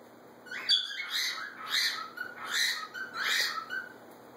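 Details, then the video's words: Squawking exchange between two pet macaws. Five or six hoarse calls, each swelling and fading, are spaced roughly 0.7 seconds apart over a faint steady background hum. "More Macaw Pair Interaction"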